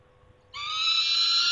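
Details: Peregrine falcon at its nest, recorded 28 August 2021: a single loud, harsh, drawn-out wail with strong stacked harmonics begins abruptly and holds steady to the end, with a faint steady hum beneath.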